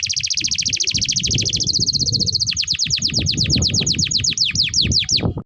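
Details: Long-singing canary used to train young canaries: an extended, even, rolling trill flows into a quick run of repeated sweeping whistles, about five per second, over steady low background noise.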